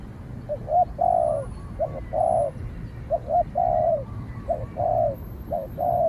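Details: Spotted dove confronting a rival dove, cooing in grouped phrases: short low notes leading into longer drawn, slightly rough coos, with short pauses between groups and a low background hum.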